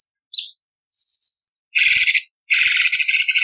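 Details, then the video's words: Cucak cungkok bulbul in a harsh 'tembakan' style training recording for contest birds. A few thin high whistles lead into two long, dense, rasping buzzy bursts, the second running to the end. "Cucak Cungkok Istimewa ~ Isian Tembakan Variasi Kasaran Tajam Pedas Kasar"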